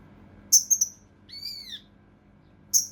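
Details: Mountain leaf warbler, tembakan kasar rapat style recorded for training competition birds: a piercing high stuttered whistle, then one arched ringing downslurred note, then another sharp whistle, over near silence.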